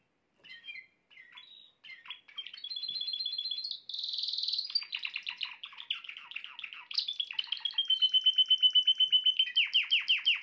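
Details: Song of a canary, meant to prompt the female canary into mating posture: opening short chirps lead to level whistles, a harsh buzzy burst, a rattling series of clicks and a long, loudening pulsed trill.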